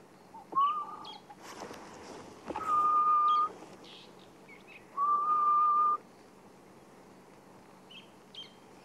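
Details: At sunrise in Sabi Sand on 23 March 2016, a rarely seen Grey-headed Bushshrike (the "ghost bird") gives long, low, eerie whistles, each held about a second after a brief rising note. Faint high chirps and soft rustles sound between them.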